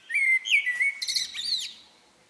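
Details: Common blackbird singing in the evening: a mellow fluted warble, then a squeaky high twittering flourish to close the phrase, in a quiet setting.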